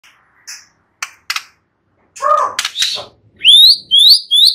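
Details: White-rumped shama song: scattered dry clicks and short notes, then a burst of mixed chattering phrases and three loud, clear whistles that slur upward, repeated roughly every half second to close.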